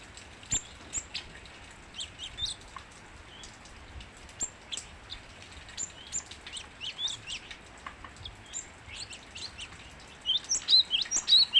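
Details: Cinereous tit singing actively: scattered thin, high chirps at first, building near the end into a loud run of rapid, sharp, repeated notes, over a quiet background.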